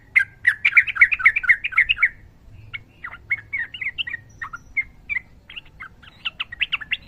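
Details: Sooty-headed bulbul in a fighting-style rolling song, meant as a training recording. A dense, fast chatter of bubbly notes fades into looser scattered chirps and ends in another quick rippling phrase.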